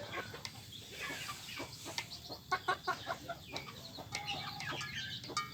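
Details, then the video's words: Village chickens scrambling over feed make scattered sharp clucks and brief squawks, with a burst of louder calls midway, over soft background noise. "Suara Ayam Kampung Rebutan Makanan"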